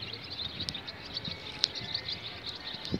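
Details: Barn swallow mating call: a continuous run of quick, high twittering chirps with a few sharper notes, over a low background rumble.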